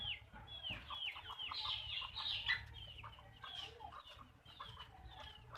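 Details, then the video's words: Backyard farm hens clucking as a group: quick downward-sliding clucks repeated about four times a second, some louder squawky notes in the middle, steady barnyard murmur underneath. "Backyard chicken farm | chickens clucking | hens clucking"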